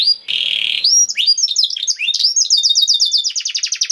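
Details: Canary song used to get canaries singing: a brief buzzy tone, then sharp rising whistles and chattering notes building into a fast, accelerating trill.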